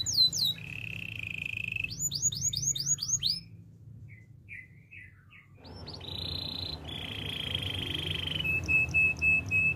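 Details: Canary singing a training song: a steady buzzy trill and rapid swept notes, a quiet pause with soft low chirps, then more flat buzzing trills and a thin high whistled tone.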